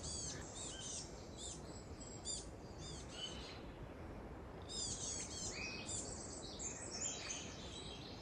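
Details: Singing Wilson's Warbler in lush coastal forest, Elk Head Trail, Trinidad, California, on a foggy, cold morning: bursts of quick, high chattering notes every couple of seconds, with other birds chirping and a steady low rumble of wind or surf.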